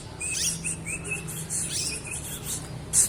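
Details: Young olive-backed sunbird learning to sing in the ngriwik style: quick high thin chirps and short sliding twitters, loosely spaced over a low, steady background hum.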